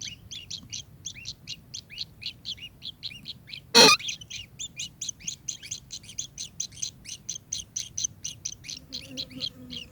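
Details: Kingfisher giving a long, fast series of sharp, high chirping notes, about five or six a second and evenly spaced, broken once by a loud knock near the middle; faint low rumble underneath.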